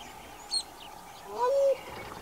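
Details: A wattled crane, one of a pair of seasonal visitors to the Ngamo Plains in southern Hwange, gives a single drawn-out note that slides up then holds steady, preceded by a brief high chirp from a smaller bird.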